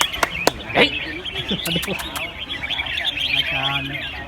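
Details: Caged red-whiskered bulbuls at a singing competition at Ban Khao Din field, Chonburi, Thailand: a dense overlapping chorus of bright, quick whistled warbles and chirps from many birds, with a few sharp clicks early on and men talking and clapping nearby.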